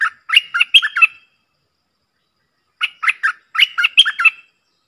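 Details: Streak-eared bulbul pair dueling fiercely in song, recorded 30 October 2021; two bursts of quick, bubbly chirped phrases about a second long, separated by a gap of roughly one and a half seconds of silence.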